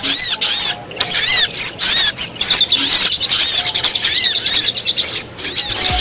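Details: Wild sogon lure audio: bursts of loud, arching high-pitched chirps grouped in short runs separated by brief pauses, several voices overlapping in a lively chatter.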